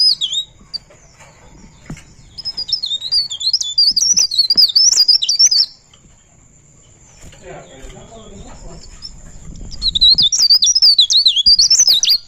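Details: Rolling 'ngerol' song of a pare pare bird, with bursts of fast, high, wavering whistled notes. A long quiet gap with faint low rustling comes before the warbling resumes near the end.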